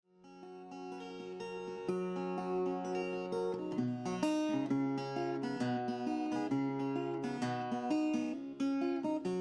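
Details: Strummed acoustic guitar music fades in and plays steadily, with no birds or other animals audible.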